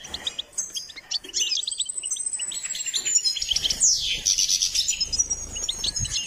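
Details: Goldfinch in full song for singing training: a continuous stream of high twittering notes, quick chirps and a descending buzzy slur, growing louder toward the end.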